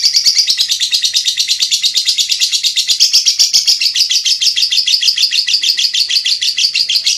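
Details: Lovebird in long ngekek song, used as a master recording for training songbirds: a continuous rapid chatter of harsh, buzzy high notes repeated about twice per second without a break, steady in loudness throughout.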